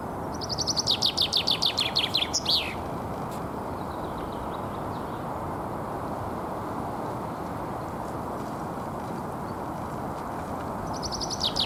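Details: Common chaffinch defending its territory in spring, Alexander Park, Pushkin, Saint Petersburg, Russia, 17 April 2021; one complete song of quick, bright repeated notes that drop in pitch and end in a flourish, then silence and a new song starting, over steady rumbling noise.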